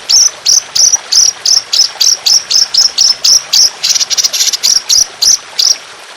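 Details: Trotolan songbird recording made for training other songbirds, described as fierce with long, harsh, continuous bursts: sharp high chirps repeated about three times per second in a steady run, with brief breaks.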